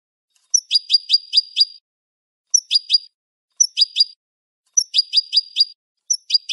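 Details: Clean European goldfinch song meant for training caged birds. Phrases of five or six quick chirps, each introduced by a thin high note, repeat roughly every second or two with tinkling overtones and a silent background.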